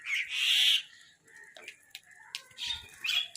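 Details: Crows fighting over food: a loud, harsh, drawn-out squawk, then scattered rough calls and a few thinner tonal notes, ending in another harsh burst.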